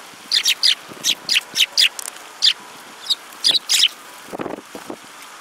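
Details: Sparrows calling: a steady run of short, bright, high chirps, often paired, repeated about every quarter to half second, then a few lower, softer notes at the close.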